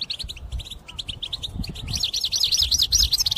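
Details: Caged European goldfinch song for trapping: scattered high chirps build into a fast rolling series of looping twitters, over a low background rumble.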